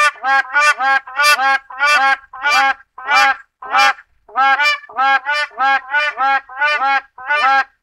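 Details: Series of loud, nasal honking notes from a black crowned crane, harmonic and slightly rasping, paired and repeated at a brisk even pace with one short break midway; no other animals or noise.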